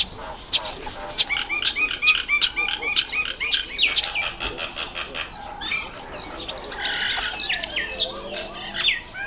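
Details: Breeding-season Red bishops, October–November: a dense run of rapid clicks and chirps, then a fizzing, twittering chatter. A lower, softer warbling note sounds faintly underneath in the second half.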